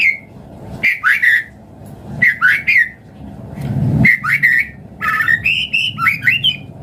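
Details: White-rumped shama song used to prompt other birds to sing: clear whistled phrases with rapid rising and falling notes in short bursts separated by pauses, over a low background hum.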